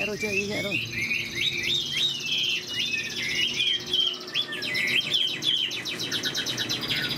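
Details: Moulting caged Chinese hwamei singing a fast varied stream of whistled and slurred notes, followed by rapid repeated chattering trills; a low brief sound at the start.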